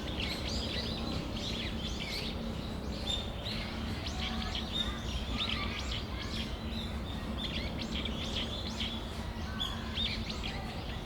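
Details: Brown-eared bulbuls calling together in Tamagawadai Park on a December afternoon, a continuous jumble of high squeaky chirps and short whistles from many birds, with low rumbling background noise.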